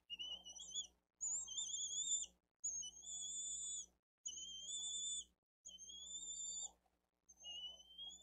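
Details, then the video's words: Little bald eagle chick calling for food at its nest, Dade County nest cam, 13 April 2023, as a parent feeds the elder chick; six long, high, level whistled cries, one roughly every one and a half seconds. "LITTLE ONE CALLS"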